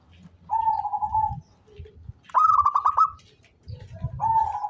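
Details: Actively calling local zebra dove, suitable as a lure bird, alternates a steady drawn-out lower coo with a quick burst of stuttered, pulsed higher notes, then returns to the long coo; low rumbling noise in the background.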